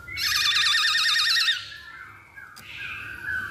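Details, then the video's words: Masked laughingthrush song played as a lure to make birds sing: a loud run of rapidly wavering, warbled whistles for about a second and a half, then softer trailing whistled notes. "Pancingan Poksay Hongkong Paling Ampuh"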